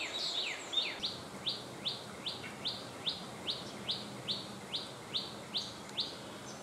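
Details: In its natural surroundings, a cit kemade bird repeats crisp, high chip notes, each a quick upward flick, about two and a half each second in an even run, over faint environmental hiss.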